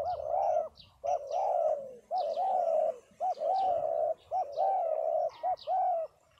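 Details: Several spotted doves at a dove gathering in Đồng Tháp, Vietnam coo in quick succession, low hooked notes joined to longer soft hoots. Faint high chirps from other birds sound above them.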